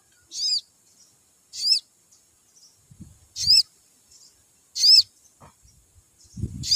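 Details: Five thin, high chirps from a crimson sunbird come at uneven gaps of over a second. They are meant to set other sunbirds singing more, and low rumbling noise rises near the end.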